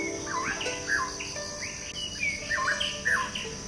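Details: White-rumped shama giving clear, looping whistled notes that swoop down and up in short bursts, set against a continuous high insect-like buzz and low steady tones.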